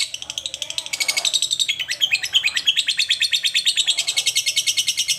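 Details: Lovebird singing: rapid, dense chattering of high buzzy chirps and trills repeated about three times a second, rising in loudness after the first second and continuing steadily throughout.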